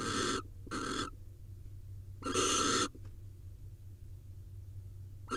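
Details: During a quick mating at a nest in Israel, 2021, a barn owl gives two short breathy hisses, then one longer louder rasping screech, followed by near silence and a faint final burst.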